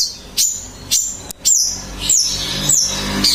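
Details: Long-tailed shrike singing: sharp, high whistled notes that slide downward, given as separate phrases about every half second, with a brief click partway through.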